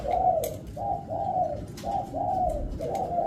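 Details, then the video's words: Stuttering-variation song of a spotted dove: soft, husky low coos given in short clipped pairs and longer slurred notes, coming in quick succession with a faint constant noise behind. "Burung Tekukur Pesom Ori Dengan Suara Variasi Gagap"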